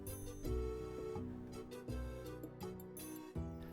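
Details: Instrumental music with struck tonal notes and bass, with no animal sound heard.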